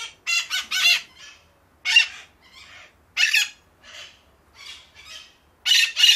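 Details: Parakeets described as angry give harsh, grating screeches in uneven bursts, some doubled or tripled, with short raspy chatters between them.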